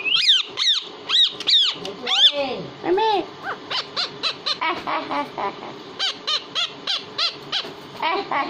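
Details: Pet parrot said to speak Hindi, giving several loud arched harmonic syllables, then a steady string of short clipped sounds repeated about twice a second, over room noise.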